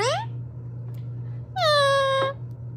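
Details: Pet Indian ringneck parakeet, a talking parrot, gives two clear tonal utterances indoors: a short quick rising sweep, then after a pause a longer held note that slides downward and levels off, over a steady low electrical hum.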